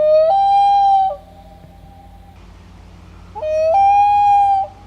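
A Common Loon gives two long, mournful wails about three seconds apart, each sliding up, then holding a clear, steady note. A faint low hum lies beneath.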